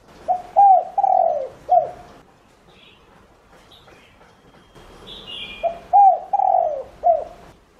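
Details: Spotted dove used as a lure bird, calling to draw in other doves: a phrase of four low, hollow, mellow coos with the longest note in the middle, a quiet pause, then the same cooing phrase again.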